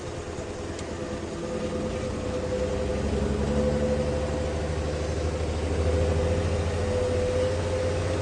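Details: A vehicle engine idles steadily with a low rumble and a constant mid-pitched hum, and no animal calls stand out.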